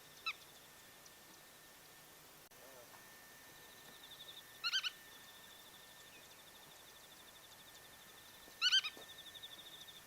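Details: On migration through Japan at Kawagoe and Yonaguni Island, a wild black-tailed godwit calls twice, about four seconds apart. Each call is a tight cluster of two or three clipped nasal notes over a soft buzzing trill and a thin steady tone.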